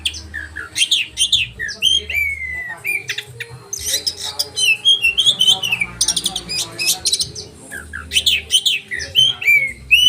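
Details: Sharp rolling song of an oriental magpie-robin for training caged birds, mixing harsh squawk-like bursts, clicks and clear whistled slurs in lively irregular phrases.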